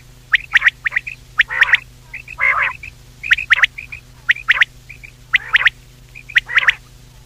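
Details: Common quail, known locally as batair, calling in a recording used as a night hunting lure: quick doubled and tripled clicking notes, now and then a longer nasal call, repeated about once a second, with constant background hum.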